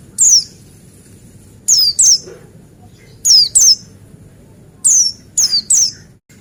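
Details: Male Buxtoni white-eye singing in bursts of two or three very high, downward-sweeping whistles, loud and clear; a lure recording for making white-eyes sing.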